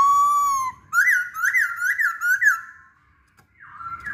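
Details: Lure song of a masked laughingthrush meant to set other birds singing: a long steady clear whistle, then four quick rising-and-falling whistled notes, a brief silence and a lower sliding tone.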